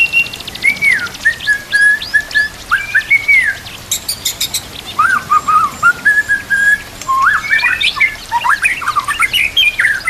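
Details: White-rumped shama song for training other birds, said to come with nature sounds and trickling water: clear whistled phrases with slurred descending notes, bursts of rapid high chatter, and varied rising and falling whistles in quick succession.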